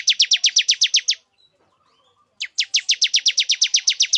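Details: Male bar-winged prinia luring a female into breeding condition; a quick run of about ten sharp, downslurred high chips, a second-long silence, then another fast, steady chipping run.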